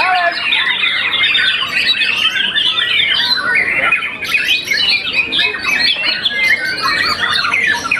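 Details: Contest-winning young white-rumped shama, moulted once, pours out a continuous torrent of mixed whistles, trills and rapid chirps, loud and unbroken for the whole stretch.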